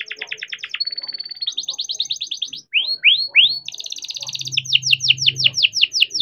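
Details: Captive-bred young canary in full rolling song, meant to prompt young or silent canaries to sing. Rapid trills shift between buzzy rattles, a held whistle and swooping upslurred notes. A low hum runs underneath in the second half.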